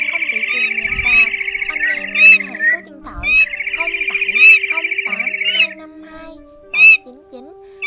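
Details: Male and female Red-legged crake flock-calling, a 2023 lure recording for night netting of migrating birds: long, rapid, rattling trills of about two seconds, pause, repeat, with sharp higher notes from other birds and a faint low hum.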